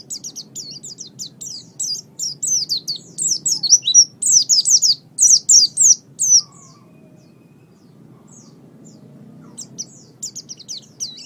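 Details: Oriental white-eye (pleci) singing, recorded as a master track for training songbirds: rapid, high, thin twittering notes, busy for about six seconds, then a pause and a softer resumption, over a low steady background hum.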